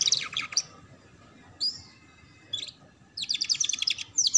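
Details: Canary ngeriwik lure song used as a master for juvenile canaries: a fast buzzy trill, a long pause broken by single high upslurred chirps, then a rapid rattling trill and a sharp final note.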